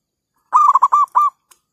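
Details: Zebra dove call, played to lure wild forest birds for trapping, recorded on an overcast day after overnight rain while many birds were nesting; a quick run of about five rolling, throaty coos packed into under a second, otherwise quiet.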